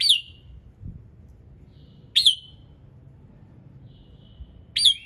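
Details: Morning song of a red-whiskered bulbul, used to encourage other birds to sing: three crisp, emphatic whistled bursts about two and a half seconds apart, each ending in a short fading tail, with a quiet low hum and a soft thump.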